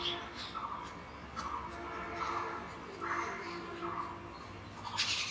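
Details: A jungle babbler (Argya striata) gives its breeding song of harsh, squeaky chattering notes, repeated roughly every second, over a low background hum.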